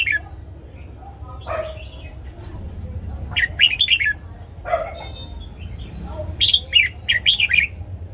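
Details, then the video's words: Red-whiskered bulbul morning song, played for training newly caught and young birds: scattered single whistled notes, then a lively final burst of quick, rising and falling warbles. "Luyện giọng chào mào hót sáng DÙNG ÉP BỔI / ép má trắng"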